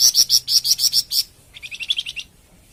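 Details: Flamboyan bird song, offered as masteran and pancingan material. Loud harsh buzzy pulses repeat rapidly for over a second, then a quicker, thinner trill of lower chirps follows before silence.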